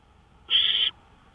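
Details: A single rough, hissing screech of an owl lasting under half a second, recorded on a porch in the early hours of 5 May 2013, around 1:53 AM, with faint steady hum behind.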